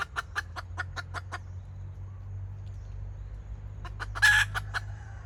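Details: Red junglefowl hen used as a decoy, 2024, in kataak clucking: an even series of quick clucks, a gap, then a loud harsh cackle followed by a few more clucks, low hum behind.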